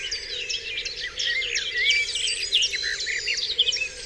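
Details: Dense dawn chorus on Dewlands Common: many birds trade rapid chirps, trills and a few drawn-out whistles, the mix growing louder after the first second.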